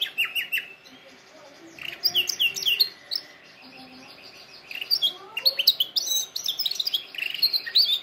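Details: Canary song meant for training canaries: scattered high chirps and quick trilled phrases, softer than usual, with a faint low hum in the background.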